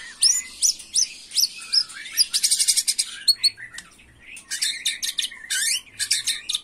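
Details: Agitated white-rumped shama in a fired-up 'macul' style, a young bird: rapid repeated upswept whistles, then dense buzzy rattling bursts and scratchy chattering phrases, all high-pitched.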